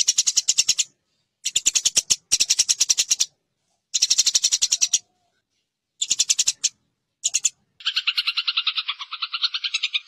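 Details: Eurasian tree sparrow fighting chatter, a master recording for competition-bird training: five short bursts of rapid harsh chirps, then a sustained, buzzy, wavering lower sound filling the final two seconds.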